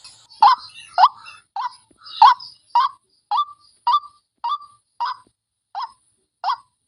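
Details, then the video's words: White-breasted waterhen lure call, described as fierce: about a dozen short, rising croaks, one every half second or so, starting loud and rough, then cleaner and more evenly spaced. "Suara Pikat Burung Wak Wak Garang"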